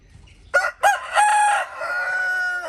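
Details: Rooster crowing: two short harsh opening syllables, then a long sustained harmonic-rich note that tails off over about a second, loud and clear against a quiet background.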